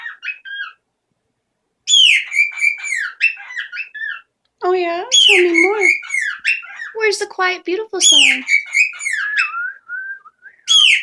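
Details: A male parrot, loud in the mornings since suddenly claiming his space, gives loud, ringing whistles and squawky, bending calls in bursts every second or two, mixed with lower harsh notes; a person speaks briefly nearby.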